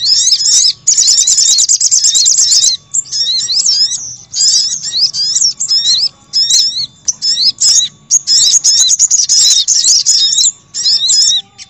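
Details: Lure sound of the crimson sunbird to bring in wild birds: a rapid buzzy trill opening, then many high, sharp twittering phrases with brief breaks and another fast trill later.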